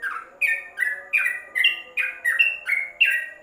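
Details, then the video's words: Yellow-vented bulbul in its cage cover, recorded for tutoring: short burst of ringing chirps, roughly two to three a second, each note slurring downward, over a low steady hum. "Masteran Trucuk dalam krojong"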